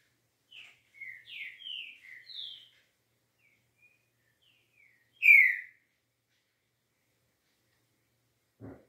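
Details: Green-winged saltator (trinca-ferro) singing a smooth 'liso' style song: a run of six short, slurred whistled notes, several falling in pitch, then a pause and one louder downslurred whistle. A soft low thump closes the recording.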